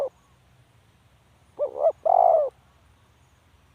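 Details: A spotted dove calling: a short, soft, hollow coo followed at once by a longer, fuller coo, with the phrase starting again at the end, and quiet background otherwise.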